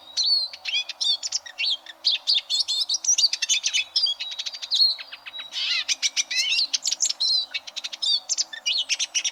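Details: Eurasian siskin song for training competition canaries: long, dense stream of sharp ticking chirps, twitters and slurred whistles, delivered almost without pause.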